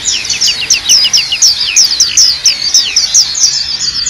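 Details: Black-capped white-eye tutor song for training birds: a lively, high-pitched chatter of quick chirps and sharper ringing notes, delivered almost without break.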